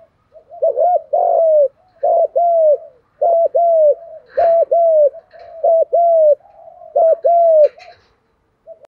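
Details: Spotted doves, males and females together, used as a calling lure for training: steady series of loud paired coos, low and rounded with a rise and fall, couplets repeated about once a second, soft chirps behind.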